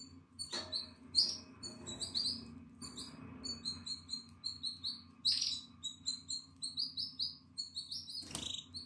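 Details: Atlantic canary chick, nine days old, 14 April 2022, eyes open and feathers sprouting: persistent shrill cheeping in uneven bursts, some notes swept and harsher, interrupted by a few rustling thumps, over a continuous low hum.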